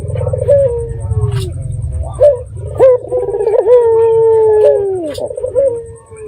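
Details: Red-eyed dove calling to provoke answering doves: broken short coos, then a long, level, mellow note lasting about two seconds and dropping at the end, with steady low rumble beneath.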